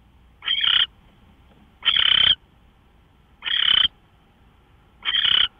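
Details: Raspy owl calls recorded 24 March 2013, 5:27 AM: four broad, harsh bursts near half a second each, evenly spaced about one and a half seconds apart, faint hum behind.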